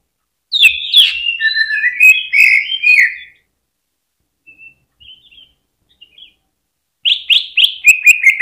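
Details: Cucak ijo, greater green leafbird, singing to lure other birds into song: jumbled warbling phrases, a quiet gap with faint notes, then a quick run of sharp repeated notes.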